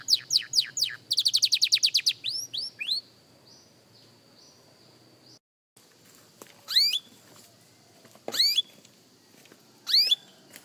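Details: Young canary in singing practice: a rapid trill and quick sweeping notes at first, then near quiet broken by a few isolated, sharp, rising whistled notes spaced about two seconds apart.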